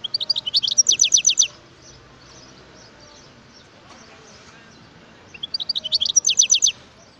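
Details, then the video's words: Wild European goldfinch giving two short bursts of rapid, tinkling high-pitched twitters, each about a second and a half long, separated by roughly four seconds of near silence. "اسمع صوت الحسون البري"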